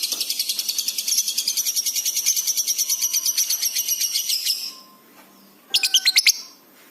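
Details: Lovebird in full, fast-responding song, a training recording for pet birds: about four and a half seconds of rapid shrill chattering pulses, a short pause, then a brief burst of squeaky notes.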